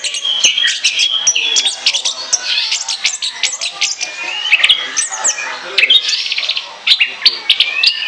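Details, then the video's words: Orange-headed thrush in full, continuous 'ngoceh ngeplong' song meant for use as a lure: dense, fast, varied warbling of high whistles, slurred notes and sharp clicks running without pause. "ANIS KEMBANG NGOCEH NGEPLOOONG"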